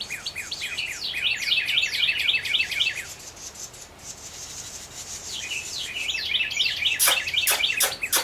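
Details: Carolina wren at a wooded backyard nest with newly hatched chicks, on a coastal marsh north of Wilmington, North Carolina. The owner believes it is the female warning the hatchlings. Two rapid bursts of high, down-slurred chirps, about four a second, with a few sharp clicks and knocks.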